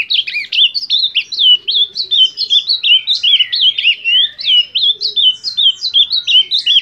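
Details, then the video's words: Rich, hurried warbling from an Ultramarine grosbeak: a steady stream of clear, bending whistled notes, roughly eighty per minute, unbroken throughout, with a faint low hum behind. "Azulão Cantoria Linda!!"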